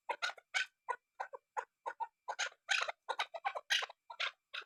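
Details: Female chukar partridge calling, a fast run of harsh, clipped chuk notes, about four or five each second, some doubled, quickening and loudening toward the middle.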